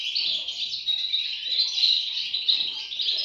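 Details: Young European goldfinches producing a continuous, shrill, wheezy chorus of rapid high chirps that holds at an even volume throughout.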